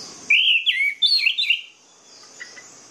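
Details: Orange-headed thrush song played as a lure to start lazy, silent birds singing: a loud burst of rich, slurred whistled notes, swooping up and down for about one and a half seconds, then faint soft notes over a thin background hiss.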